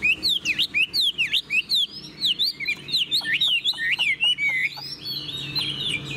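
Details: Caged Chinese Hwamei with yellow plumage, a vigorous tail-fanning display bird, in song: repeated swooping V-shaped whistles, then a rapid series of sharp clipped notes and a run of bright rising-falling whistles, loud and continuous.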